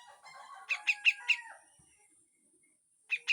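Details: Grey-cheeked bulbul in harsh full song with besetan phrases, used as a training recording: a jumble of low warbled notes, then four loud sharp chips about a fifth of a second apart, a pause, and two more chips at the end.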